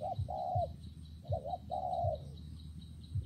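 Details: Spotted dove calling in wet, windy weather, giving two mellow coo phrases of short lead-in notes and a drawn-out level note, set against a constant low background hum.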